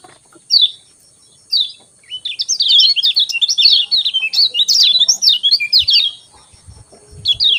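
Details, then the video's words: Lemon-bellied white-eye in the morning giving 'ciak ciak' chirps used to stir quiet birds to sing: two lone high chirps, then a long, dense, rapid twittering warble of quick up-and-down notes, ending with a single chirp. "Ciak Ciak Joss Kecial Kuning Pagi Hari Bikin Kecial Kuning Malas Bunyi Cepat Joss Gacor"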